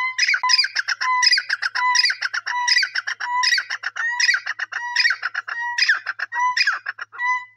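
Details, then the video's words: Loud francolin calls in an even, repeated pattern, each phrase a short pure whistled tone followed by a burst of grating, squawky syllables, repeating roughly every 0.7 seconds throughout, with nothing else audible. "amazing teeter sounds"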